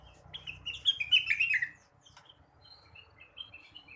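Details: Morning song of a blue-winged leafbird, meant to stimulate other birds: a loud rapid run of sweet chattering notes in the first two seconds, then softer scattered whistles and chips.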